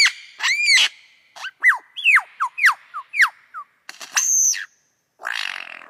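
Lyrebird song: a varied run of loud whistles, swooping notes and harsh bursts, each phrase different, changing every half second or so.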